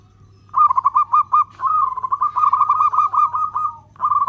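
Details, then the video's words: Local zebra dove singing in a long-beat style that provokes other doves: a few separate coos leading into one long, unbroken string of rapid rolling notes, then another phrase starting; faint hum underneath. "Perkutut lokal gacor suara ketukan panjang, cocok untuk pancingan"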